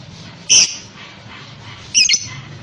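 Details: Lovebird sound used to prompt other lovebirds to answer; two loud, harsh, high squawks about one and a half seconds apart over a steady background hiss.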